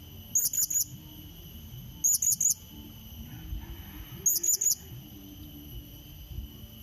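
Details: Blue-crowned hanging parrot luring a rival with its call: three separate triplets of shrill, very high chirps, evenly clipped and sharp, over a quiet steady hum and soft low noise.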